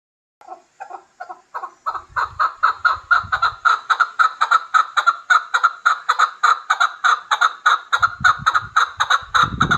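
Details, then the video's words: Hybrid chukar partridge giving a long rhythmic series of harsh chuck notes. Soft, spaced notes build into a loud, steady run of about three per second. Low rumbling noise is heard briefly near the start and again at the end. "Кабки Гибрид"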